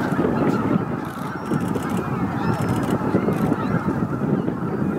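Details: Evening roost gathering of about 15,000 greater white-fronted geese at Miyajima-numa, Bibai, Japan, 11 April 2016; a constant wall of overlapping honks and yelps, a few clearer individual calls rising above, light wind.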